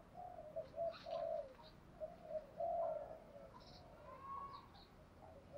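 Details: Spotted dove lure call used to draw wild doves in: low soft cooing phrases, several short notes and one longer rolled coo, quiet against a hissy background.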